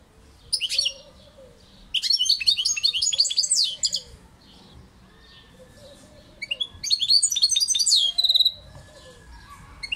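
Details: European goldfinch song: three bursts of rapid, liquid twittering and tinkling high notes, a short one, then a longer two-second phrase, a pause, and another, with a quiet background between them.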